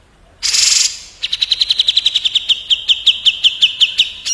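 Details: Grey-cheeked bulbul (cucak jenggot) in a fast 'tembak' shooting-song duel against an olive-winged bulbul (kapas tembak): a brief harsh burst, then a rapid run of sharp, evenly spaced whistled notes that gradually slows.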